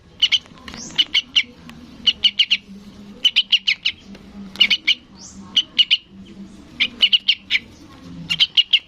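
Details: Begging sooty-headed bulbul chick calling its parent with regular bursts of three to five scratchy high chirps, plus a couple of brief rising whistled notes from another bird.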